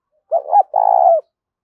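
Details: Spotted dove giving its mellow coo to lure wild birds in the fields: two clipped introductory notes run together, then a sustained rolling coo, low-pitched and steady, on a quiet background.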